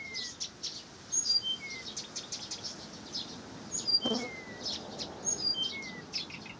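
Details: Blyth's reed warbler from Pavlodar delivering a lively song of repeated high chirps, brief bright whistles and slurred falling notes in irregular groups, with a softer chorus of other birds behind.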